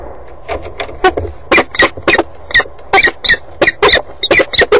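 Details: Nesting peregrine falcons on the Axel water tower, March–May 2011, utter a series of short, scratchy, broadband calls that grow louder and come faster after a softer start.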